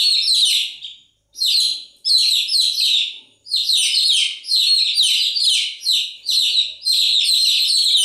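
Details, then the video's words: Chicks peep continuously in overlapping bursts of high, falling chirps, separated by a few brief silent breaks early on, then running almost without pause. "Continuous Chirping sound of Chicks"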